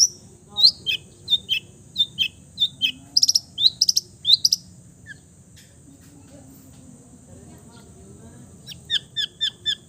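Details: Long-tailed shrike mimicking other birds: a series of short downslurred high chirps, about one every half second, a brief pause, then a quick run of squeaky notes; faint steady hiss throughout.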